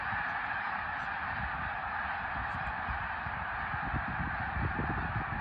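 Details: Steady roar of many snow geese honking together at Middle Creek in 2022, with low buffeting noise beneath the chorus.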